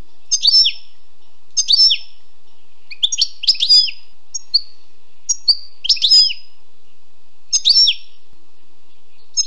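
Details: Wild European goldfinch giving short, separate twittering notes and clipped chirps spaced a second or so apart, with some thin whistled tones between them and quiet in between.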